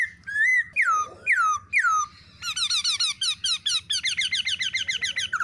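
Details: Black-throated laughingthrush female calling 'ro ro' together with the male's shrill notes to prompt singing in other laughingthrushes; a few loud, downslurred whistles give way to a fast, accelerating stutter of bright harmonic notes.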